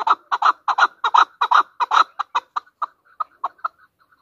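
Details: Chukar partridge, called chakor, national bird of Pakistan, a hunter chukar: loud, rapid clucking chuck notes repeated almost three per second, starting dense and strong, then spacing out and fading over the final second.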